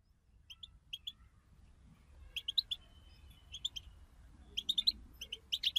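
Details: European goldfinches in a group twitter, a recording meant to stimulate goldfinches to sing; faint, high, sparse chirps come in short bursts of two or three notes, spaced about a second apart, over a low background hum.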